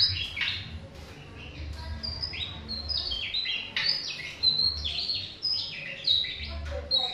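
A tesia sings quick, high, tumbling phrases of sharp notes, some sliding downward, with a faint low rumble underneath.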